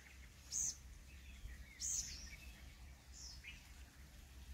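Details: Purple sunbird calling in Ranthambore National Park, Rajasthan, India: two loud, very high, piercing notes about a second and a half apart, then fainter thin chirps, over quiet low background noise.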